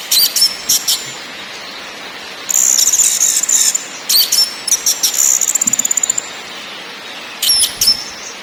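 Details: {'text': 'Orange-headed thrush lure song with ngakrak, ngeplong and nyiul styles: sharp high notes and extended machine-gun trills, rapid and evenly spaced, broken by short pauses and a final thin whistled phrase.'}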